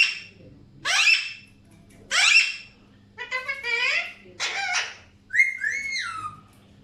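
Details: Alexandrine parakeets: two loud, raspy screeches, then stuttering nasal chatter with many overtones, ending in a clear whistled note that rises then falls, over a faint low hum.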